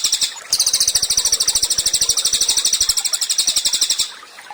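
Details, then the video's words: Cililin singing for songbird training: a brief high note, then a sustained rapid trill of sharp, bright notes repeated about ten times a second for three and a half seconds before falling silent. "CILILIN GACOR, MASTERAN HANDAL UNTUK BURUNG KICAU."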